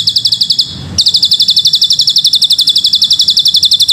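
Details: Tutor recording of a bar-winged prinia (ciblek gunung) performing long cililin-style phrases, meant for teaching young birds: after a brief pause, rapid high piercing notes repeat evenly at roughly four each second.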